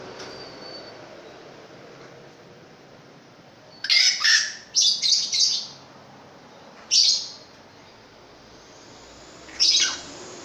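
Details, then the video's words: Long-tailed shrike, known locally as pentet raja, a long-tailed bird with a very big voice in gacor form, giving short grating screeches: a pair, a rapid triple, then two single harsh bursts spaced apart over quiet background. "BURUNG PENTET RAJA SUPER GACOR"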